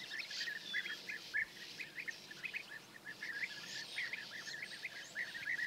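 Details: European bee-eaters in Hungary on 10 May 2024, early morning: a chorus of rolling, purring calls from many birds overlapping, with faint high notes and background hiss.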